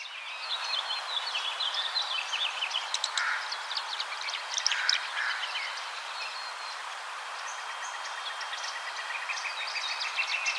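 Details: Tree swallows (Tachycineta bicolor) chatter in quick, liquid chirps and twitters, several voices overlapping in a busy stream over a soft background hiss; recorded in Cincinnati, Ohio.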